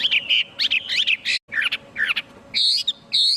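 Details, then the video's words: Chinese hwamei song without other noise: short bursts of jumbled, twittering whistles broken by a brief pause, ending with two higher buzzy notes. "Tiếng chim hoạ mi hót không tạp âm mp3 . Suab noog coob quaj zoo dib ."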